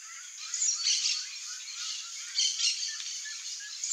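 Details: Chestnut-eared Aracari (Pteroglossus castanotis) feeding socially on ripe backyard fruit in central Brazil, giving two bursts of sharp, high, squeaky notes about two seconds apart over a steady hiss.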